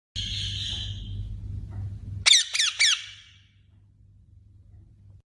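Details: Parrot calling: a hoarse, buzzy squawk opens, then after a pause three loud, harsh screeches fall quickly in pitch, one after another. A low hum sits underneath, and the sound ends in near quiet.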